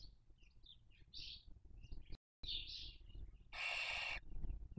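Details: Barn owls raising young at a nest in Cabañeros National Park, Spain, 2023 breeding season: a string of soft high squeaky twitters followed by one long harsh hissing screech near the end.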